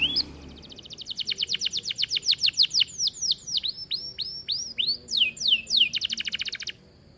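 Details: Atlantic canary in full song for training other birds: a rapid, accelerating series of high, sharp repeated notes turning into looping downward-curving whistles, and ending in a fast buzzy trill.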